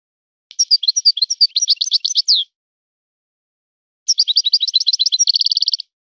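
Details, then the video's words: European goldfinch singing in a style copied from a breeder's birds: two long bursts of lively high twittering. The second ends in a fast, buzzy trill. "طائر من طيور لي تاتغرد على نمط طيور سي حسن الكلوب ولد الغابة"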